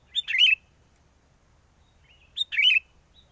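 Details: Sooty-headed bulbul calling as a lure for trapping birds, strong wind: a brief lead note then a rich gurgling warble, the phrase given twice about two seconds apart, the second longer.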